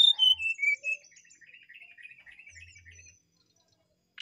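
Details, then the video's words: Brown-chested jungle flycatcher song, a run of loud whistled notes falling in pitch, trailing into a long, soft, thin twittering warble that fades to silence. "sikatan rimba dada coklat gacor"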